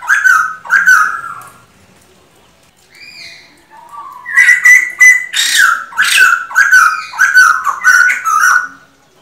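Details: A male masked laughingthrush (Pterorhinus perspicillatus) gives loud, harsh, chattering song phrases, rapid bursts of slurred notes after a brief pause with a faint whistle between, played to excite other birds.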